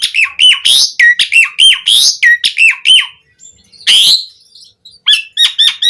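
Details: Song of a Javan pied starling with varied fills: a quick repeated pattern of harsh squawks and curved whistled notes, a short gap, one loud raspy burst, then a fast tight run of repeated clipped notes.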